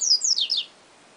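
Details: Yellow-bellied seedeater (papa-capim) singing the song style called siu siu professor: three quick, high, slurred whistles, each sliding steeply downward, delivered within under a second and followed by near silence.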